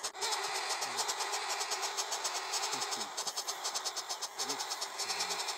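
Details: Six small woodpecker chicks in a nest inside a mimosa tree near Morlupo, Rome, keep up a harsh, buzzing, hiss-like chorus that pulses several times a second without a break, with faint low rumbles underneath.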